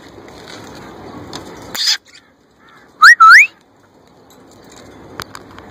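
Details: Young male plum-headed parakeet mimicking a ringneck parrot and attempting speech: a brief raspy note, then two clear whistled notes sweeping upward in quick succession, with faint clicks afterward.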